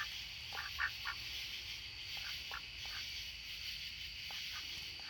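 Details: Rouen ducks in the dark before bedtime give short, soft nasal quacks in loose clusters of two or three, over a steady high hiss like night insects.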